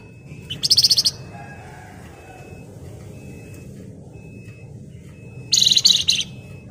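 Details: Two short bursts of rapid, shrill chattering from a Flamboyan bird, described as gacor ngebren rapat nyerecet, separated by about four seconds of quiet with low background hum and a faint steady tone.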